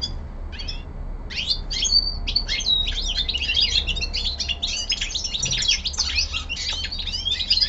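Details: Young male common linnet kept at home, giving its winter descant: a continuous fast twittering of high chirps, trills and short whistled notes, building in density after a hesitant start, over a steady low indoor hum.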